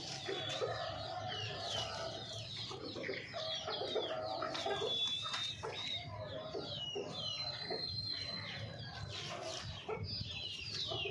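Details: Low, stuttering hen clucks repeated in quick runs, nearly buried under dense high chirping from a crowd of small birds; a faint low rumble runs throughout.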